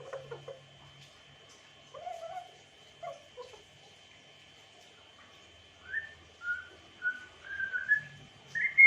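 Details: African grey parrot whistling a sweet sequence: low warbling notes, a pause, then a run of clear sustained whistles climbing higher, the last one the highest and loudest.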